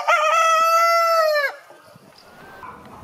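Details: A single rooster crow: a loud, rich, harmonic tone held steady for about a second and a half before cutting off. It is followed by faint background clucking and rustling.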